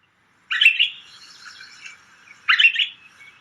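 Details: Pine Grosbeak song, very fluty and whistly, played as a winter bird example around Edmonton: two warbled whistled phrases about two seconds apart, each rising and then trailing off softly.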